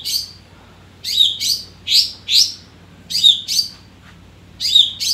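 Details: A captive Long-tailed Shrike, tracked to let out its breeding urge and temper, gives bursts of two or three high, scratchy, chattering notes about a second apart, with short pauses between, over a faint low hum.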